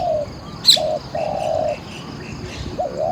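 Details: Spotted dove cooing while luring wild doves: long level coos, one cut off by a sharp high chirp from another bird, then the start of a hooked double coo.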